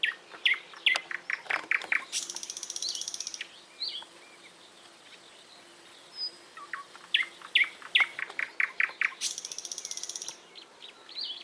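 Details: Two rounds of lively bird song, each a quick string of sharp chirps building into a dry, buzzy, high trill, separated by a few seconds of faint background.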